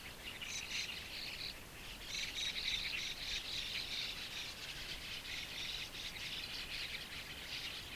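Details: White-cheeked Starling fledglings with pale plumage begging for food as parents or helpers bring caterpillars, at a shallow waterhole in Japan, early June 2015. Continuous harsh, buzzy, rapid chattering overlaps in a dense high-pitched chorus throughout.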